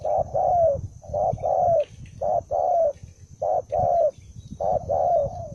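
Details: A single aggressive, combative spotted dove (bổi, đồng son type) coos in paired phrases: a short note, then a longer one sliding slightly down. About four pairs sound over low rumbling background noise, with a faint steady high hum.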